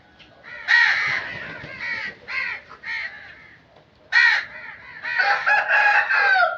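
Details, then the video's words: Crow cawing in nature: a run of harsh, hoarse caws in two bursts separated by a quieter pause, then a dense overlapping series toward the end. "Crow Sound Effects"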